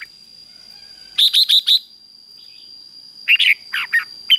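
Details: Provoking 'ché' song of a red-whiskered bulbul for stirring males to sing. A run of four even whistled notes is followed after a pause by a looser group of lower, warbling chirps, with a faint steady tone throughout.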